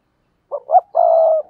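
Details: Spotted dove used as a lure, cooing in the 'thúc gù' manner to draw wild doves into replying. Two short soft notes are followed by a long, steady, hollow coo that fades out gently.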